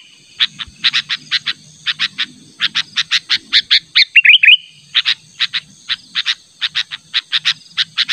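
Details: Natural call of a sooty-headed bulbul used as a lure for a rival: long, steady run of sharp, quick chirps, interrupted midway by a brief bubbling warble, with a soft low hum underneath.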